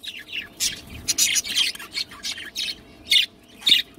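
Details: Budgerigars in a nesting pot, filmed day by day as they develop, give bursts of high, scratchy chirps and squeaks in an irregular series.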